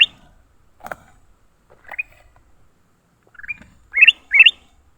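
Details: Leafbird in a fight after being caught: scattered harsh upward-sweeping chirps, spaced at first, then two loud rising notes close together near the end, with one sharp click early on.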